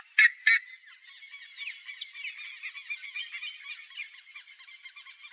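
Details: Buff-necked ibis (Theristicus caudatus) calling in its natural Cerrado habitat in Brazil: two loud, harsh honks open, then a continuous chattering stream of rapid nasal notes, suggesting several birds calling together.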